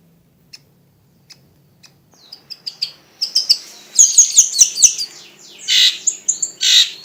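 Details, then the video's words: {'caption': 'Long-tailed shrike giving a varied song: a few faint ticks, then a rising run of sharp, high chirps and whistles building into dense, scratchy, mixed phrases with harsh bursts toward the end.'} "CENDET DENGAN SUARA BERVARIASI"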